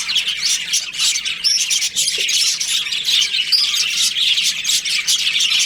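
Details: Many budgies chattering together in breeding season, dense scratchy warbling with occasional clear whistled chirps rising above the flock.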